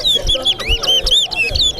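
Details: Towa towa in a Corriverton bird singing competition: loud, clear whistled notes rising and falling in quick succession, with faint voices and music behind.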